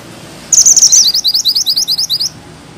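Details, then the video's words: A high, piercing bushchat phrase: a fast trill that breaks into a steady string of about a dozen clipped, evenly spaced chirps over nearly two seconds. "Mantenan gunung gacor ngeroll rapat,nembak tajam!!"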